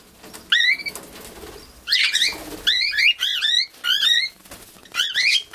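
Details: Young cockatiel in an aviary giving repeated whistled, rising-falling chirps in short bursts, some doubled, with wing-flapping and indoor background noise.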